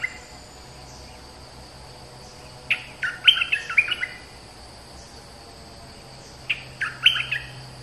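A flowerpecker sings two short bursts of thin, sharp, high twittering notes over a steady insect-like whine.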